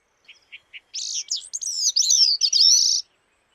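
Bicknell's Thrush gives a few soft chuck notes, then a high, wiry, fluty cascade of rolling, buzzy phrases lasting about two seconds.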